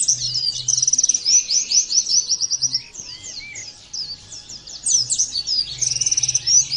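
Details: Oriental white-eye song, played as training audio meant to prompt other white-eyes to sing: dense, rapid high twittering of chirps and sliding notes, overlapping phrases, a short quieter gap near three seconds, faint low hum beneath.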